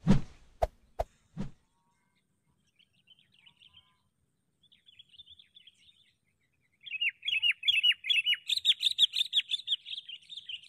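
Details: Sooty-headed bulbul used as a decoy bird while trapping wild bulbuls; handling knocks open the recording, then faint scattered chirps, followed by a rapid, bright series of repeated high chirps over the last four seconds.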